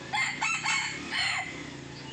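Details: A crow from red junglefowl while hunters use a decoy to lure young wild junglefowl in Sumatra: several hoarse, strained syllables strung together over about a second, then fading into low background hiss.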